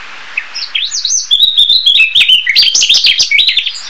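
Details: Narcissus flycatcher in song, giving a rapid, continuous stream of high, twisting whistles that rise and fall, with sharp clicking ticks sounding behind the notes.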